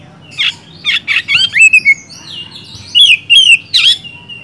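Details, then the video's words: Oriental magpie-robin, kacer gacor style, used as a lure for magpie-robins that stay quiet: harsh scratchy notes alternate with clear sliding whistles, followed by a short pause and more whistled phrases ending in a rasp. "BURUNG KACER GACOR NGEPLONG,sangat cocok buat dongkrak emosi kacer malas bunyi jadi gacor"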